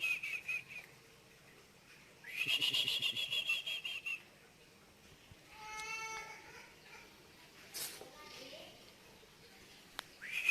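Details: Eagle calling after dark, an eerie sound: several bursts of rapid, high, pulsed notes, one long chattering run of about two seconds, separated by quieter stretches with a rising series of harmonic squeaks and a sharp click.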